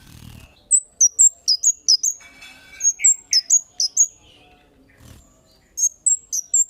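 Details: Kemade calling energetically as a lure for other birds: rapid runs of piercing, high chirps, each note clipped and slightly falling, grouped in bursts of four to six, with a few softer lower notes in between.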